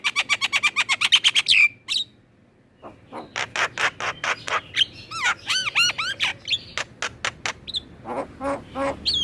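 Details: Black-winged myna song meant to get captive birds singing: a fast train of identical squeaky notes, a short silence, then dense rhythmic clicks, chattering and upward-sweeping whistles.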